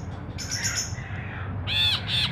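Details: Ashy bulbul song meant for luring and tutoring caged birds: a soft, wavering, high note, then two loud, harsh, nasal buzzes close together at the end. Low hum continues throughout.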